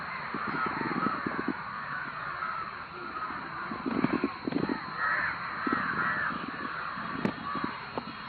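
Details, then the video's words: A crowd of crows makes loud cawing noises, overlapping harsh calls over scattered clattering taps and one sharp crack near the end. "காக்கா இப்படி கத்துனா ஏதாவது ஆபத்தா???-Crowd crows making loud noises"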